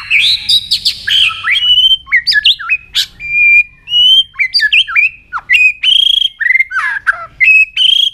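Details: White-rumped shama in peak fighting form, singing continuously while flicking its tail; a rich, varied run of loud whistles, sharp upslurred and downslurred notes and brief harsh bursts, tumbling on without pause.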